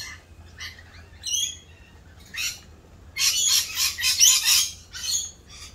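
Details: Rainbow lorikeets during the mating season, doing their mating dance, start with sparse squeaks and whistles, then break into a loud continuous burst of harsh screeching.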